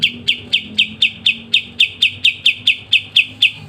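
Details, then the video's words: Kapas tembak, a caged songbird kept for training other songbirds, sings a fast, crisp run of sharp, descending chip notes repeated about twice per second, each note clipped and high-pitched, with a faint low hum beneath. "KAPAS TEMBAK GACOR NGEBREN RENYAH‼️MASTERAN GACOAN KICAUMANIA"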